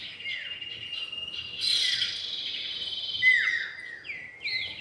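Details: Lure recording of a male and female common iora: a few scattered down-slurred and looping whistles against a loud, steady high-pitched insect drone.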